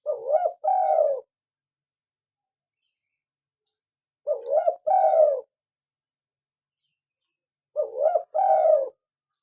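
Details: Gentle, repeated cooing from a local spotted dove, played to attract doves and encourage caged birds to call. Three identical two-part phrases, a short rising note then a longer mellow coo, come about every four seconds in a quiet setting.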